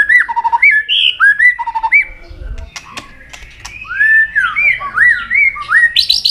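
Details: Contest singing of an excited White-rumped shama, many wild-style voices delivered continuously: clear mellow whistled phrases, each rising then dropping, repeated in pairs, a brief quieter gap, then looping upward-sliding whistles and a high buzzy finish.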